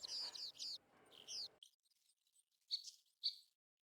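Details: American golden plover (Pluvialis dominica), whose calls are noted in migration and breeding seasons: clear, high whistled down-slurred notes in quick pairs, then a gap and two sharp single whistles near the end; quiet background.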